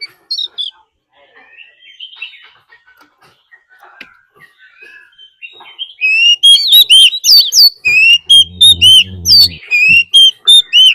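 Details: Decoy Oriental magpie-robin fighting song, with a wild female call, to stir up birds. Quiet scattered chirps at first, then a burst of loud, rapid, looping whistles in quick succession, with a brief low hum midway.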